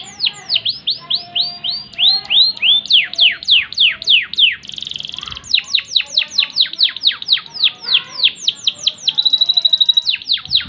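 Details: Canary of the loper type, a long singer whose song runs about a minute with strong volume, singing rapid repeated downward-sweeping whistles, a buzzy burst midway and a fast high rattling trill near the end, loud and continuous.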